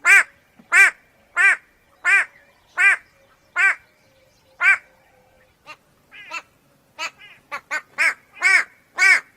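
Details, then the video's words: White-bellied go-away-bird, member of the turaco family, giving a long series of loud nasal bleats, steady at first, then broken into short stuttering notes before strong bleats resume. "The extremely annoying sound of the White - bellied go away- bird"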